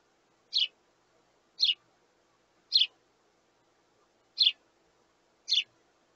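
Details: Sparrow young begging for food from parents: five crisp, high chirps at roughly one-second intervals, with a short pause before the fourth, and a clean, quiet background.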